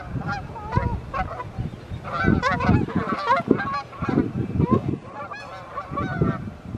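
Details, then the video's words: Canada geese flying in the evening during summer or fall 2020, loud, clamorous honking from a close flock, calls crowding together in bursts, with heavy low thuds and rumble beneath. "Canada Geese flying and honking"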